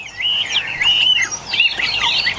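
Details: Caged Chinese hwamei, bird number one of eight newly arrived birds in Vietnam, pouring out a loud, varied phrase of high whistled slurs and warbles without pause, other caged birds faint in the background.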